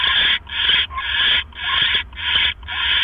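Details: Owl on a live nest camera, evening of 18 October 2015 at 7:24 PM, as the male brings his mate a rat. Harsh, hissing screeches repeat about twice a second, each roughly half a second long, with brief gaps.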